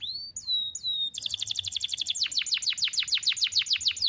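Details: Canary singing a long single-breath song for training young birds. Three clear whistled slurs open, followed by a rapid rattling trill that shifts into broader, rhythmic downslurred notes.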